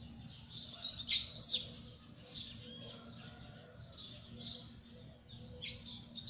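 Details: Double-collared seedeater singing: a dense burst of high, scratchy twittering notes about a second in, then softer, scattered high chirps over a low steady background hum.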